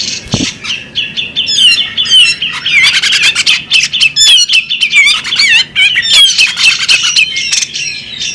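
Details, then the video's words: A female bearded magpie robin pours out dense, high twittering and wavering whistles, with quick slurred phrases tumbling over one another, broken by sharp ticking clicks. "the alluring sound of a female bearded magpie robin"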